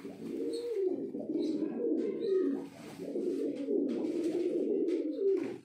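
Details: Pigeon cooing: soft, low, rolling coos follow one another almost without pause over five seconds, with faint higher chirps now and then.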